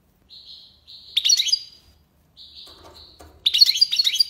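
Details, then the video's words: European goldfinch singing in tiwawati style: two buzzy trill notes leading into a loud, tinkling twittering burst, a short pause, then the same pattern again with a bright jangling finish; faint low clicks between phrases. "مقنين(حسون) تيواواطي ليباساد"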